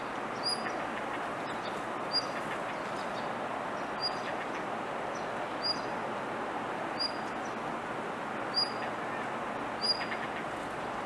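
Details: Repeated high, thin, slightly rising whistles from a blue rock thrush calling continuously rather than singing, spaced one to two seconds apart, with a faint steady hiss behind.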